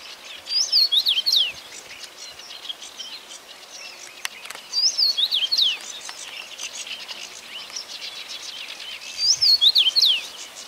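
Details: Common rosefinch repeating its brief clear whistled song phrase three times, about every four and a half seconds, each a quick run of slurred descending notes; other birds twitter faintly in between.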